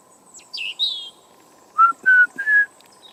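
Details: Tame young European robin singing in a garden, cold morning, November 2014: two high, thin, slurred notes, a brief pause, then three clear whistled notes stepping slightly higher, with a faint continuous hum.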